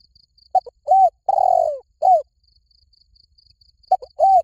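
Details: Cooing of a spotted dove, หลิ่วตัน style, played to coax a trained bird into answering: clipped short notes followed by a long sliding coo and rounded hooting notes, a pause, then the phrase starts again over a faint high pulsing tick.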